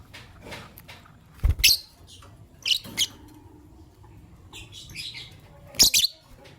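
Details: Fischer's lovebirds, a white albino and a pastel green, chirping in the morning: shrill, harsh chirps in short bursts and pairs near 1.6, 3 and 6 seconds, with softer high chatter between and a quiet background.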